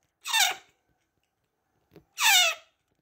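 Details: Baby African grey parrot, 68 days old, at feeding time: two loud, rasping, downward-sliding squeals about two seconds apart, with silence between them.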